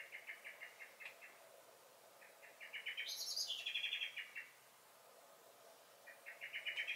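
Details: Common blackbird in a garden in May 2021: steady chinking alarm notes build into a loud high squeaky phrase that drops in pitch, followed by silence and a fresh rising run of chinks.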